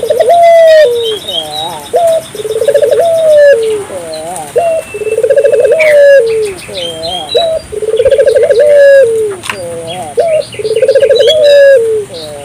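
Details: African collared dove calling vigorously, used to stimulate local doves to call: a short upswept note, then a rolling trilled coo ending in a drawn-out falling tone, repeated about every three seconds, with faint high chirps of other birds behind.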